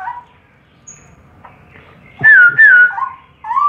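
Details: Three straw-headed bulbuls (cucak rowo) giving loud, rich, bubbling whistled phrases that rise and fall in mid pitch, in bursts about a second apart over a quiet background.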